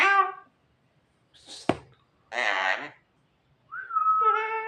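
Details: Javan myna, a tame talking bird that imitates human coughing, gives a varied run: a harmonic whistle-like note, a sharp click with a hissy burst, a rough buzzy syllable, then a long steady whistled tone with harmonics.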